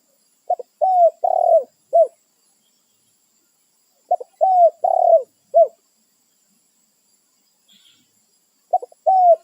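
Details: Spotted dove calling its companions in the wild, a territorial bird that confronts intruders: three rhythmic cooing phrases about four seconds apart, each a soft short note then longer hollow coos ending in a clipped final coo; background otherwise quiet.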